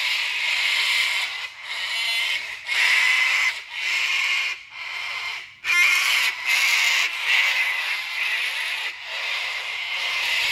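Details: Five cockatoos protecting their nest tree from a monitor lizard (goanna) give harsh, raspy screeches in overlapping bursts of about a second, with brief pauses between, an insistent alarm chorus.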